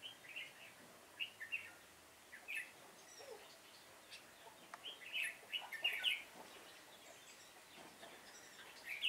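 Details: Red-whiskered bulbul used as a trapping decoy, 7 September 2018, pouring out repeated sharp chirpy phrases every second or so, intensifying toward the end, with faint background chirps.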